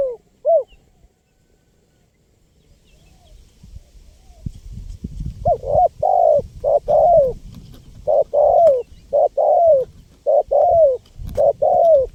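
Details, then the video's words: Spotted dove (tekukur), lively singer recorded to lure wild birds: a couple of coos, a quiet spell, then rapid runs of hollow rising-falling coos in groups, over a steady low rumbling background noise. "SUARA LANGKA BURUNG TEKUKUR GACOR PALING AMPUH 2024 UNTUK PIKAT BURUNG LIAR"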